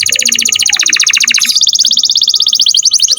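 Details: Canary song recorded as a master for teaching other songbirds, here a dense, very fast rattling trill of high chirps that shifts slightly higher midway and keeps an even pulse throughout.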